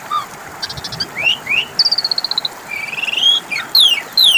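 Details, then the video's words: Asian pied starling song played to draw an answer from birds that have fallen silent: rising whistles, a fast even trill of clipped notes, a long upward slur and high descending sweeps. "Pancingan suara burung jalak suren macet bunyi 🐦 5 Menit Langsung nyautt!!"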